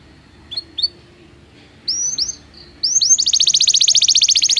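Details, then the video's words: Belgian canary song for training canaries that do not sing: a few soft rising whistled notes, then a very fast, loud, even trill over steady low background hum. "Canto de canário belga - treinamento para canários não cantores"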